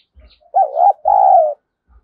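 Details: Repeated spotted dove luring call, Vietnam: one low coo in two parts, a wavering rise-and-fall note and then a steady prolonged hoot, with soft thumps around it.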